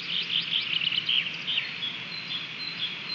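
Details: Osprey at a nest in Latvia, 30 June 2020, as the male brings in a stick. A rapid run of piercing, high chirps comes in the first second and a half, then fades into a steady hiss.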